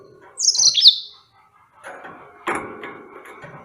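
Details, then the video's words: Yellow-fronted canary (Serinus mozambicus) giving one brief, bright, high warbled phrase that slides downward, followed by softer, lower rustling and scraping noises. "Enchanting Sounds Tropical Bird Calls to Relax finch Serinus mozambicus"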